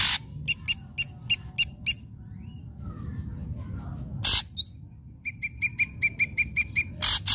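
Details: Ashy drongo in loud song meant to provoke quiet drongos: quick bright chips repeated about every quarter second, a harsh rasping blast, then another fast chip series ending in buzzy bursts.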